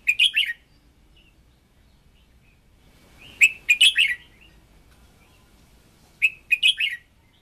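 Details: Red-whiskered bulbul decoy bird in intense training song. Three bursts of rapid, bright, chattering notes come about three seconds apart, each with three or four warbled syllables.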